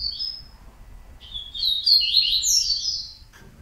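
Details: A Yellow-bellied seedeater (Sporophila nigricollis, coleiro baiano) sings, opening with a thin high whistle, then running into a fast, jumbled burst of bright twittering notes over a faint low hum.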